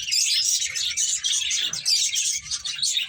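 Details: Finches at play give a steady stream of bright, high chirps, closely packed and nearly unbroken.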